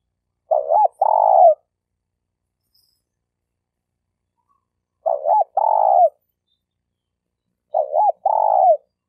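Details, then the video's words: Spotted dove stuttering lure call for training new captives: three paired notes, a short looping coo then a longer burry coo, spaced about three and a half seconds apart in silence. "Suara burung terkukur"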